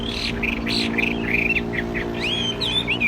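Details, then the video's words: Caged Chinese hwamei, described as about 80% tame, calm and not restless, singing clear whistled phrases, some rising and some falling, with short slurred notes in quick succession over a steady low mechanical hum. "Chim hót tốt giọng hay"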